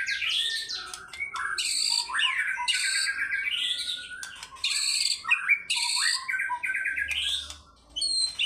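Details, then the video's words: Fighter-style singing from a White-rumped shama unloading its learned phrases: loud, rich bursts mixing high stacked notes, rapid trills and falling whistles, with short pauses between phrases. "MURAI BATU GACOR FIGHTER BONGKAR ISIAN"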